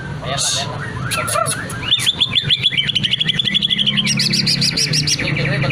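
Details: Greater green leafbird song meant to prompt others to join in: scratchy mixed notes, then a rapid stuttering sequence of looping whistles and a very high repeated trill near the end, over a low hum.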